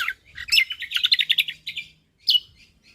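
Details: Short Lombok white-eye song phrase: a dense jumble of rapid, high, chattering notes lasting about a second and a half, then a brief pause and one sharp slurred note.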